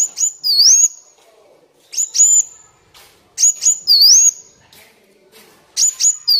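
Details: Kolibri Wulung sunbird song for training and luring birds: groups of piercing high notes ending in a dipping, rising whistle, repeated roughly every two seconds with quiet gaps.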